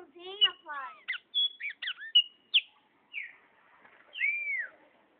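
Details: A pet chopi blackbird that was let loose, with its owner calling it back until it lands on his hand, sings a varied run of clear whistles, harsh harmonic notes and quick slurs, ending in a long falling whistle; faint voices nearby.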